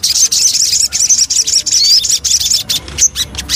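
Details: A Javan cochoa in lure song gives a jumbled high chatter with a thin rising whistle midway and short pauses between bursts.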